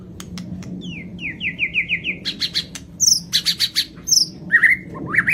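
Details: White-rumped shama from Lampung singing a full varied song: a run of six descending whistled slurs, then rapid clicks and sharp high chirps, followed by a series of bright high notes and rising squeaky phrases, low steady hum underneath.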